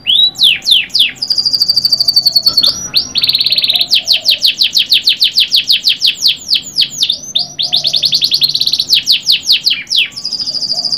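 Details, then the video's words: Canary singing a long, loud, continuous song of fast trilled tours, rapid repeated downsweeping notes and bright rolling phrases, switching between pitch levels every second or two, with faint low background hum. "KENARI GACOR PANJANG | CANARY SINGING"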